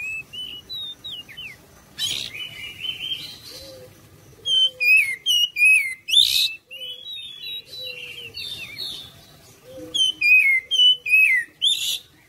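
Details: Oriental magpie-robin lure song meant to make other birds answer: varied whistled notes, rapid slurs and buzzy bursts in loose series, with faint lower whistles and a light background hum.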